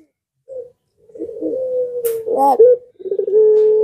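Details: Barbary dove (Streptopelia risoria), coo: lure to draw answering calls from other doves.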